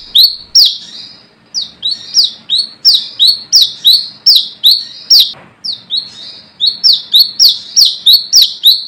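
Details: Brown-throated sunbird, ngalas type, calling rivals, a call used as a lure: sharp, high, down-slurred chips in rapid runs of about three per second, with a brief pause midway.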